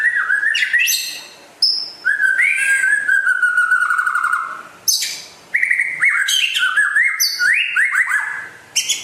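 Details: White-rumped shama from West Aceh, described as rare, singing a rich run of loud whistled phrases: sharp high notes sweeping down into fuller, slurred and wavering whistles, with short pauses between bursts.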